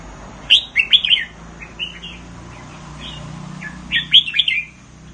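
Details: Red-whiskered bulbul in Thailand, a kept songbird counted for its song phrases, singing short bright, warbled phrases of clear whistled notes, two fuller bursts at the start and end with softer fragments between.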